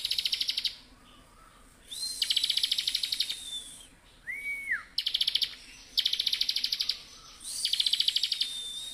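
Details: A Bar-winged prinia sings loud, rapid, buzzy trills in bursts of about a second, repeated every couple of seconds, with a few thin rising whistles between them.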